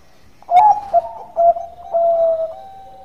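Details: Relaxed, melodious song of a Bangkok-type zebra dove, used as a lure: a bright opening note, a short pair of clipped coos, then a long drawn-out level coo that trails into a lower hum.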